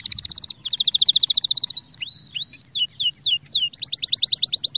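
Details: Canary song used for singing training, opening with a rapid rattling trill, then a long fast tour of repeated notes, drawn-out whistles, swooping dipped slurs, and a closing quick trill.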